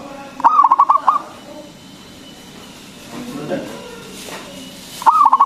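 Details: Local zebra dove singing loudly, played as a lure to provoke other doves into answering: two bursts of rapid throbbing coos about four seconds apart, with faint murmuring and rustling between them.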